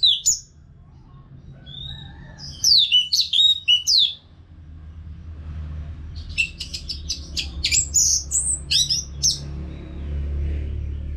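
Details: Orange-headed thrush singing without pause, a sound meant to coax caged birds into song: high falling whistles and quick slurred notes, a quieter stretch, then a rapid cluster of sharp twittering notes over steady low rumble.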